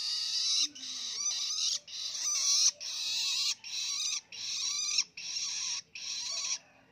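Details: Young hand-raised long-tailed shrike, now independent, practising the rambling ngelolo song: scratchy, buzzy chattering in bursts of about a second, separated by short pauses, repeated steadily throughout.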